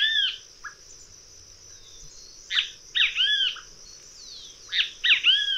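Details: Great kiskadee giving raucous, arched two- and three-note calls in short bursts separated by pauses, with a constant high-pitched insect drone behind.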